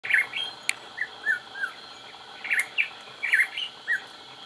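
Crowned hornbill giving short, piping whistled notes in loose twos and threes, roughly every half second, with a couple of sharp clicks in the background.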